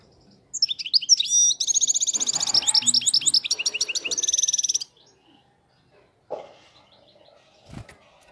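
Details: Flawless wild European goldfinch singing a long, fast run of bright, metallic twittering notes that repeat quickly for about four seconds, then falls silent, followed by a couple of faint clicks and knocks.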